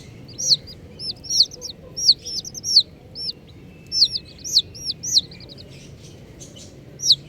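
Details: Bright, high chirps from colourful baby chicks come in quick bursts of two or three descending notes, then thin out to a single peep near the end, with faint hum beneath.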